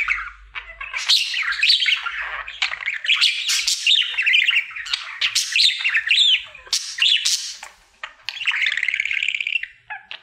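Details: Happy male pet budgerigar singing during his daily routine: long chattering warble of squawks, chirps and sharp clicks, varied and rapid, ending in a buzzy, sustained trill before a brief drop.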